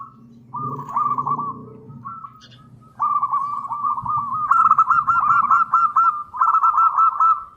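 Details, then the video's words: Local zebra dove, a lively singer, giving its long-phrase song used as a lure and training model for other doves: runs of rapid, rolling cooing notes at a steady mid pitch, with a soft low rumble early on. "Perkutut Lokal GACOR !! Suara ANGKATAN PANJANG"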